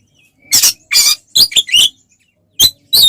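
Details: Oriental magpie-robin in combative, loud singing used to provoke rivals: scattered harsh, scratchy squeaks and short twisting notes in uneven bursts separated by gaps.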